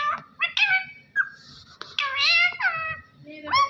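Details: Talking parrot, a pet indoors, said to speak the phrase "Allah Hoo": a string of hoarse, speech-like syllables, some sliding upward and some dropping, with short pauses between bursts and a quiet room hum behind.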